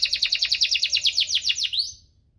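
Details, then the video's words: Canary in 'cuit-cuit ngerol' song, meant to prompt lazy canaries into singing. A quick series of about fifteen sharp, repeated chirps, ending in a short rising whistle before silence. "Kenari Gacor cuit-cuit ngerol, pancingan untuk burung kenari malas bunyi"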